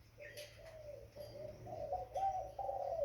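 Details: A young spotted dove makes low, smooth cooing notes that grow louder and slightly higher toward the end, over a constant low electrical-like hum with a few faint thin chirps.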